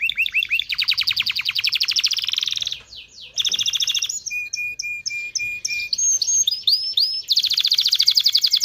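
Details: Mighty canary singing to stimulate males and females to mate: alternating fast trills, buzzy rolls, level whistled notes and sharp high chips in a varied, continuous song.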